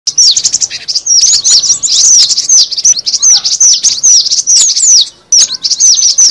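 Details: Cinereous tit lure recording: a dense, continuous stream of high, sharp, down-slurred chirps tumbling over one another, with one brief pause near the end and no other clear sounds.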